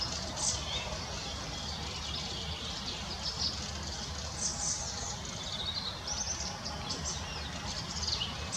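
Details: Young fieldfare in the Munich Botanical Garden giving thin, high, squeaky notes, scattered irregularly every second or two over a steady background hiss.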